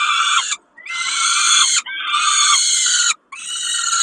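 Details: Peregrine falcon at Kawęczyn during a snack, 20 May 2022: long, harsh, rasping calls about a second each, with a slightly rising start, repeated after brief silent gaps, with rich buzzy overtones and no other clear sounds.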